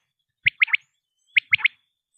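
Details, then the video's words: Common quail calling, a recording offered as a lure for hunting quail: two crisp three-note phrases, high and clipped, about a second apart, against silence. "بٹیر کی اواز 1 گھنٹے کی Quail Beautiful voice"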